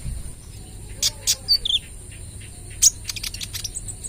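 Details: Spotted 'trotol' kolibri ninja sunbird singing as lure material: a few piercing high chirps, a quick twisting whistled phrase, then a burst of rapid thin notes, with a constant high-pitched hum behind.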